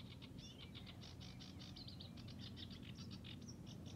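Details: Sedge warbler still singing in the reeds at Hörningsholm, Alnö, Sweden, on 9 July 2021: a fast, faint chattering series of short harsh notes with a few brief whistles, over heavy low rumbling background noise.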